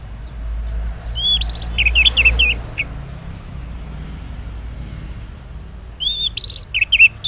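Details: Morning ngeplong song of an orange-headed thrush, used as a lure for silent males: two phrases of rising and falling whistled notes and fast chips, set against a steady low rumble.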